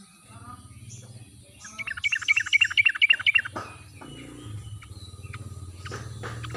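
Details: Wild-style sooty-headed bulbul song used as a lure to get silent birds singing. A single quick run of bright, evenly repeated chirps lasts about a second and a half over a steady low hum.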